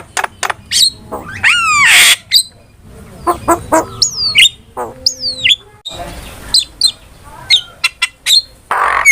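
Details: ['Starling song played as a lure and master sound, with clipped chirps, sweeping down-slurred whistles, a short steady tone and scattered harsh squawks.']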